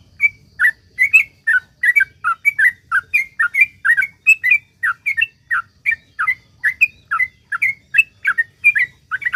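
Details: Sooty-headed bulbul in full, sustained song meant to prompt other bulbuls to sing, a steady stream of rich, liquid whistled phrases repeated about every half second for over nine seconds without a break.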